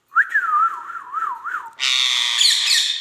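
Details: Pet Indian ringneck parakeet, kept as a talking parrot, gives a clear whistled note that jumps up, then wavers up and down several times before cutting into a loud, harsh rasping screech.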